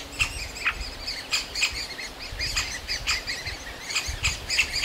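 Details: Great spotted woodpecker chicks in their aspen nest hole begging for food from the parents: bright high chirps in loose clusters over a soft low rumble.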